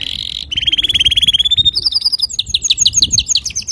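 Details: Male canary singing clearly, recorded as a tutor song for young canaries: fast rolling trills of rapidly repeated high notes, each tour shifting in pitch, sung continuously.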